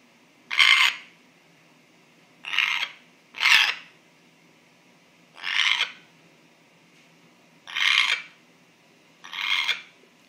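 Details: Pet African grey parrot, a male bird, making a strange noise its owner cannot identify: six short, harsh, hissing bursts spaced unevenly over ten seconds, with quiet pauses between.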